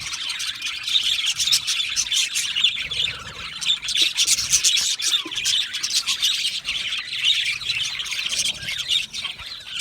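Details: Continuous twittering of many aviary budgerigars, rhythmic bursts of high chirps and chattering warbles with short squawks mixed in.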